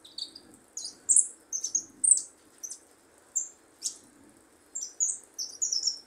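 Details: Young goldfinch practising its song and marking good prio phrases: scattered high, thin twittered notes and short sliding chirps, with gaps of about half a second between bursts over a faint low background hum.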